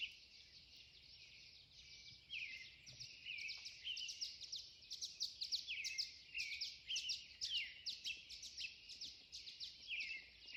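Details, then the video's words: Backyard birds in Pierce, Idaho, singing at 4 am: a quiet start, then a busy chorus of high, quick chirps and down-slurred whistles, about two notes a second, overlapping throughout. "Birds Singing at 4 am"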